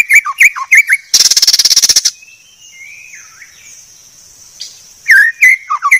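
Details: White-rumped shama (murai batu) song: crisp chirped notes, a second-long harsh buzzing rattle, a soft descending warble, then more bright chirps.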